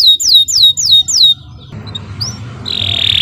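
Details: Canary singing, recorded as a master track for training other birds: four loud, clear whistled notes sweeping downward in quick succession, then a quiet pause, a brief upward chirp and a sustained buzzy tone over a low background hum.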